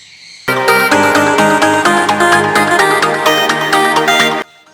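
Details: Electronic dance music with a steady beat and bright synth melody fills the whole passage; no animal voices can be picked out.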